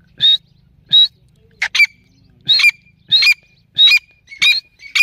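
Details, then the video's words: Female grey francolin, known locally as teetar or dakhni teetar, giving loud, harsh, squawking notes in short bursts. About eight bursts come in five seconds, spaced irregularly and sometimes doubled, over a quiet background. "female teetar Ki awaz"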